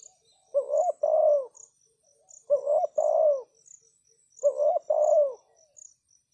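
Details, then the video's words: Decoy spotted dove cooing to tempt wild doves closer. Three evenly spaced, low two-part phrases about every two seconds, a short note then a longer throaty rolling coo, with a thin high insect chorus in the background. "Chim cu gáy chiêu kích mồi tập bổi nhanh nổi hiệu quả"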